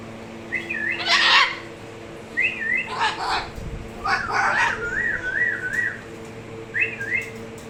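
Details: Moluccan cockatoo doing its hahaha laugh: short bursts of quavering, stepped whistled notes separated by pauses, mixed with a few harsh louder squawks.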